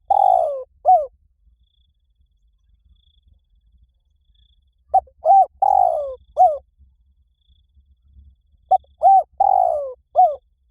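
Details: Spotted dove calling, used as a lure to train a dove to call back: repeated phrases of short mellow coos around a longer falling, slurred coo, the phrase returning about every four seconds against a quiet background.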